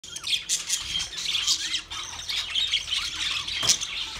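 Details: Twenty pairs of budgerigars chirping together: a dense, steady mass of high, scratchy chirps and short squawks, with a few rising whistled notes and a louder squawk near the end.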